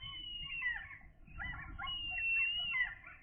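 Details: Loud, drawn-out whistled cries from two gull chicks at day 13, each note sliding downward, given in two bursts separated by a short pause, with faint low background noise.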